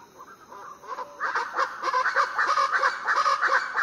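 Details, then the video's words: Variable chachalacas calling before dawn on Foengoe Island, Suriname: harsh, raucous, overlapping calls in a busy chorus, several notes each second, rising in intensity after a quiet start. "Little Chachalaca audio"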